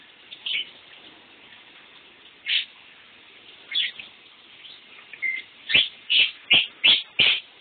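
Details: Pet lovebird calling while someone takes a shower: scattered high chirps, then a run of five sharp chirps about every half second. A steady hiss of running water fills the background.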